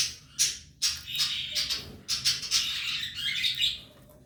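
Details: A pair of Belgian canaries has three chicks in the nest, and the chicks give harsh, high, wheezy begging squeaks in quick bursts, about two or three each second, rising into a continuous chatter.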